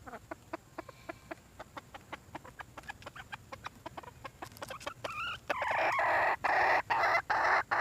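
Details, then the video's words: Red junglefowl hen calling for a mate. A steady run of soft clicks leads into a wavering two-part call, followed by loud, harsh, rasping bursts repeated in an even rhythm. "nkauj qaib see zoo heev"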